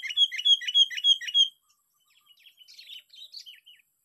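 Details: Sooty-headed bulbul lure bird on the sixth day of a fighting session: a bright chirping phrase repeated five times in quick succession, then softer, scattered twittering notes.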